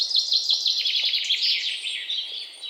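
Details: Wild birds chirping in a rapid, high-pitched chatter of short repeated notes, several calls overlapping continuously over faint background noise.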